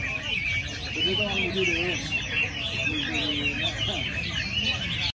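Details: Chinese hwamei singing during an early-December weekly training session with other birds: loud rolling whistled phrases and quick up-and-down warbles stacked over each other, with softer lower slurred notes and steady background hum.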